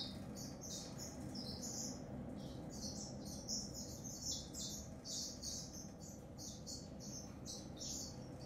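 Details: African grey singer finch delivering a continuous, rapid song of high, thin chirps and warbled phrases, bursts tumbling one after another with scarcely a pause, over a steady low background hum.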